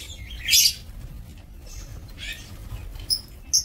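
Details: Breeding lovebirds in an aviary on 2 October 2024 give a loud, piercing screech near half a second, then softer raspy chirps and two sharp high squeaks toward the end, over a steady low hum.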